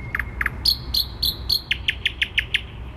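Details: Thrush nightingale singing in the middle of Warsaw, May 2020: two low knocking notes, a row of four higher whistled notes, then six evenly spaced sharp clicks, with quiet low traffic rumble.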